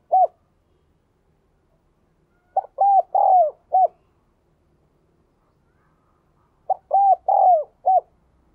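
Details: Very diligent spotted dove singing in the 'đồng kim' style: a lone short coo, then two clear phrases of four notes, short, arched, long falling, then clipped, spaced about four seconds apart. Silent background.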